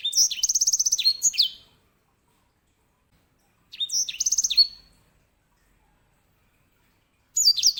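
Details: Grey singing finch, also called edel sanger or herda sanger, kept as a master bird for training canaries, delivering loud rolling song phrases: rapid repeated high trills and whistled notes in bursts of about 1.5 seconds, separated by silent pauses.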